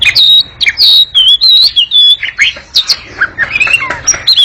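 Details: Oriental magpie-robin chattering at length, quick and noisy: high sliding whistles followed by lower, rougher notes and a tumbling warble toward the end.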